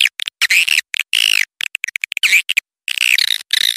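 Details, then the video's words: Swiftlet attraction call: short clicks mixed with brief buzzy chirps and a few downward-curving twitters, arranged in separate bursts with silent gaps. "suara burung walet panggil burung walet"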